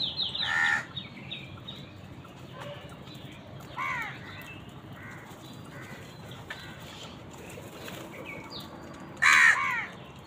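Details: Crows calling while fighting wild birds for food: a loud harsh caw at the start, a softer one near the middle and another strong caw at the end, with a steady background hiss.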